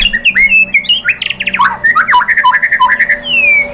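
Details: White-rumped shama song used to provoke other birds into singing: a loud, fast stream of varied whistles, sharp chips and rapid trills, ending in a long slurred descending whistle.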